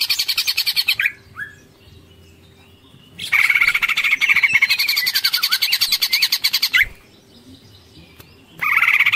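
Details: Greater green leafbird (cucak ijo) giving long ngekek chatter, full tengkek style: rapid harsh pulsed trills at the start, middle and end, broken by short quiet gaps and a single slurred whistle.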